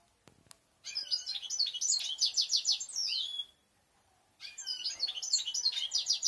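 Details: Several European goldfinches singing: a fast, bright twittering of high tinkling notes and short trills in two bursts, the first ending in a drawn-out descending note, separated by a brief silence.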